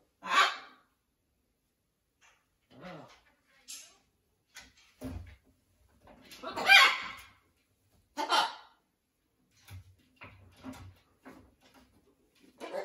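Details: Blue-and-gold macaw at a parrot rescue sanctuary, adapting to a new flock: scattered harsh, raspy vocal bursts and mutterings, a few loud ones among quieter fragments with silent gaps, in an indoor setting.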